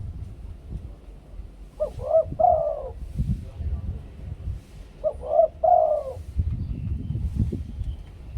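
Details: Two-kuk 'khu-ang' cooing from a spotted dove used to lure others: two clear phrases roughly three seconds apart, each a pair of short rising notes into a longer, throaty falling coo, with low noise between.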